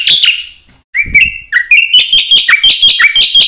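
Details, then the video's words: Black-winged myna song meant as a training lure for other mynas: a brief scratchy note, a pause, then rising whistled slurs building into quick, bright, repeated chattering notes. "suara jalak putih gacor full isian ini pancingan masteran burung jalak bengong auto plong"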